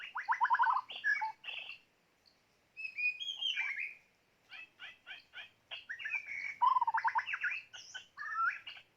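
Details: Decoy white-rumped shama in full song: rapid trilled phrases, fluty whistles, and fast chattering note series, broken by a brief silence.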